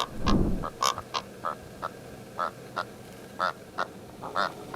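Karoo Korhaan giving a run of about a dozen short, harsh, nasal croaks at a mid pitch, spaced roughly a third to half a second apart, after a low thump.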